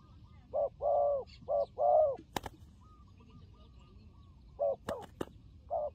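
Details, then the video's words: Turtle dove described as a good fighting bird in a trapping setting: two-part cooing phrases in a quick run, a pause, then more coos, broken by loud sharp knocks and clicks. "Good Fighting Dove"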